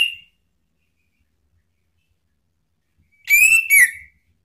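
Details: Short ngeplong phrase from a male Orange-headed thrush, used to provoke other birds to sing: a clipped whistle at the very start, three seconds of silence, then two linked whistled notes, the second gliding downward.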